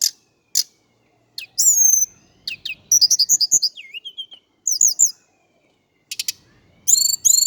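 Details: Indigo flycatcher song from Java: sharp high chips, a falling whistle, a fast pulsed run of notes, a dipping slur and wavy twitters, phrases separated by brief silences.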